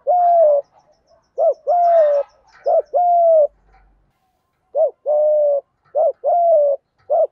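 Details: Thổ thúc gù coo of the spotted dove, played to encourage captive newcomers to call. Steady series of short low hoots and longer level coos, two phrases back to back with a brief pause between.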